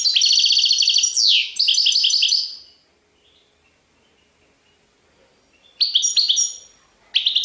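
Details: European goldfinch singing Serfati Tiwawati style. A high rattling trill drops into a buzzy slide, followed by rhythmic twitters. After a silence, two more short bright bursts come at the end.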